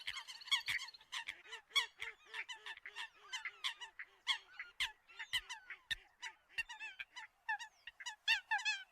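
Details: Eurasian coot calls used as a lure for other birds: a steady run of short honking, nasal notes, roughly two to three per second, with fainter low arched notes between them in a quiet background.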